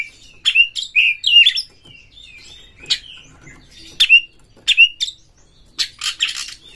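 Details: Oriental magpie-robin from Indonesia, emotionally roused against a rival, singing short clusters of bright slurred whistles and harsh chatters, each cluster separated by a second or so of quiet.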